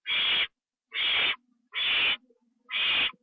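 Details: Recorded at 1:52 AM on 25 September 2011 as an owl takes a treat inside: four long, harsh hisses about 0.9 seconds apart, with soft low chattering in the gaps.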